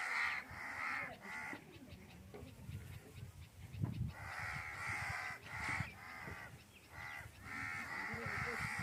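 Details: Crows making noise in the Thar Desert, Sindh, Pakistan, while a cat hunts insects: harsh, raspy caws in bursts about a second apart over low rumbling background noise.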